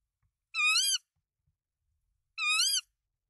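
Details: Tawny owl at its nest in Denmark, March 2024, three eggs present and the male bringing rodents for the female: two hoarse, drawn-out calls, each gently arching in pitch, spaced roughly two seconds apart against silence.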